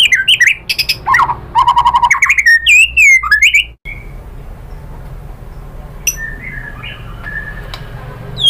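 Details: White-rumped shama song used as a lure to set other shamas singing. Four seconds of loud varied whistles and rattling trills stop abruptly, followed by low background hiss and a few faint distant notes.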